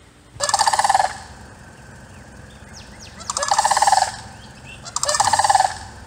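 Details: Florida sandhill cranes, heard up close in Hudson, Florida, on a hot Easter day of about 90 degrees, give loud, rolling, rattling bugles in three bursts of half a second to a second each, with faint chirps from smaller birds between.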